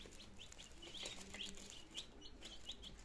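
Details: Two-day-old chicks, a brood of nineteen kept in Germany, 17 September 2022, starting to eat and drink; scattered short high peeps, some rising, against steady broadband noise and low hum.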